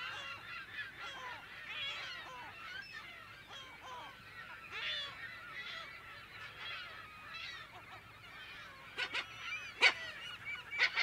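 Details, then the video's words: Steady chatter of a California gull colony, many birds giving wavering nasal calls at once, with a few sharp, sudden close cries in the final seconds. Recorded in mono at close to mid distance. "California Gull / CU - MP Calls In Colony"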